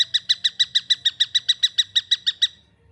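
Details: Juvenile long-tailed shrike calling: a fast, steady series of about sixteen harsh, buzzy notes, roughly six per second, that stops after two and a half seconds. The background is quiet apart from a faint low hum.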